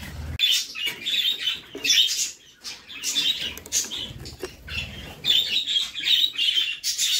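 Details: Budgerigar mother feeding chicks in a nest box; repeated loud bursts of scratchy, buzzy high calls come roughly every second, separated by brief quiet gaps and soft shuffling.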